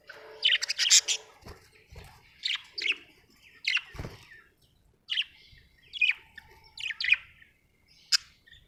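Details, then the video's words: Chirping budgie, happy: a string of short, scratchy chirps spaced about one second apart, some sharper clicks mixed in, with light low thumps in the background. "happy budgie chirping sound"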